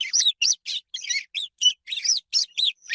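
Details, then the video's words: Close swallow chirps in high quality: about ten sharp, slurred twittering notes in three seconds, some rising and falling whistles, grouped in quick bursts with short gaps, nothing else audible. "SOM DE ANDORINHA"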